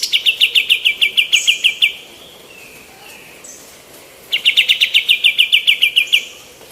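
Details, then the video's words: Active female white-eared bulbul recorded as tutor material for other songbirds. Two long rattling series of rapid identical notes, each with roughly fifteen to twenty repeats, separated by a two-second lull with faint softer calls. "KAPAS TEMBAK BETINA GACOR"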